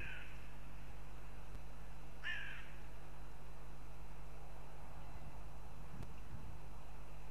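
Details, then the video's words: Northern goshawk near its nest in Riga, Latvia, heard as two separate harsh, slurred wailing notes a couple of seconds apart, with quiet stretches and steady low hum between them. "Goshawks Riga/Latvia"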